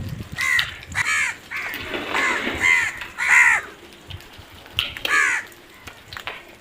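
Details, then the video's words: Crows giving loud, harsh, arched caws in rapid clusters, about nine calls over several seconds, some overlapping as more than one bird calls, over low background noise. "Crow sounds"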